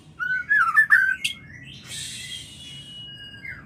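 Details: White-rumped shama mating call: a short burst of warbled, slurred whistles and a sharp click, then a hissing rush and a long thin steady whistle that falls away at the end.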